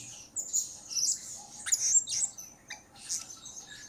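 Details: Blue-crowned hanging parrot calling actively as lure audio: harsh, scratchy high squawks and shrill chirps in uneven bursts, some sliding downward, over a faint low background.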